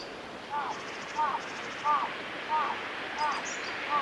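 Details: A male Pale thrush in a nature observation garden of a nature conservation centre, 5 March 2022, gives six short, soft, mid-pitched notes, one every two-thirds of a second, over a steady wind-like hiss with faint high chatter.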